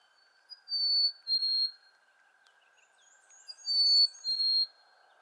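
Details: Two phrases of the Black-capped chickadee fee-bee song, called cheeseburger or hey sweetie: each a pure whistled note followed by a slightly lower one, with faint high chirps of another bird and a constant low hum.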